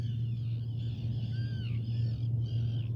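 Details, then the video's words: Common raven giving hoarse, throaty croaks with a gurgling edge, several in quick succession, over a steady low mechanical hum. "Common Raven"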